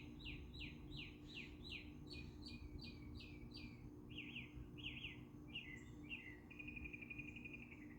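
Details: A singing bird delivers a string of loud, evenly spaced slurred notes that gradually lower and quicken, ending in a fast buzzy trill, with a faint low hum beneath.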